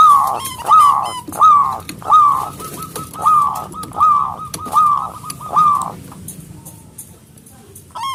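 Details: Local zebra dove with a big, strong voice, singing energetically to call rivals: a rapid series of about eight rolling, slightly trilled coos at a steady pitch, one roughly every 0.7 seconds for six seconds, then a pause, with faint chirps of small birds above.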